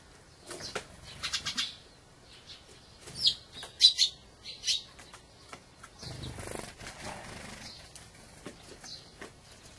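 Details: Dusky thrush, a wintering bird that migrated from a far northern country, giving short, sharp, buzzy chirps in scattered bursts, some clustered in pairs and triplets, with quiet gaps between.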